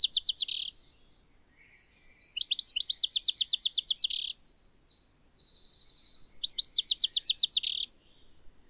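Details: A wild European Goldfinch, gathering sheep wool for its nest in spring, gives rapid bursts of bright, liquid tinkling notes, about four per second, broken by brief buzzy twitters; no other sounds.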